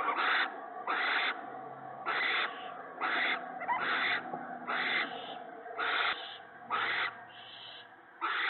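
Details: Owl at a nest on the evening of 19 March 2017, a male bringing mice and a rabbit to his mate and owlets; harsh hissing screeches repeat in rapid bursts about once a second, with steady background hum.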